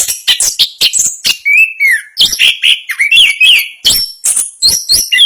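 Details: Champion Orange-headed thrush singing its rolling ngerol song: quick sharp notes at the start, then clear slurred whistles that rise and fall, ending with high ringing chirps in rapid succession.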